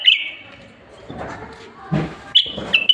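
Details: Common bulbul, the Moroccan black bulbul, in strong song meant to stimulate other bulbuls to sing: a quick run of high, sharp notes, a pause with soft rustling and a thud, then another brief burst of bright notes.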